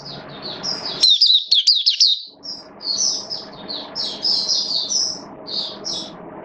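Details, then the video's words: Oriental white-eye kept as a hobby bird, recorded in wet weather on 8 October 2022: soft high notes, then a rapid shrill twitter around one to two seconds, followed by repeated thin, high chirped phrases against background hiss. "Mata Puteh Buka Sing Raja"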